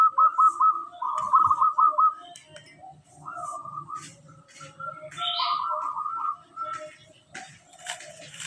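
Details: A local zebra dove singing actively and clearly opens with a strong run of rapid coo pulses, then softer rolling phrases, over faint low rumbling in the background.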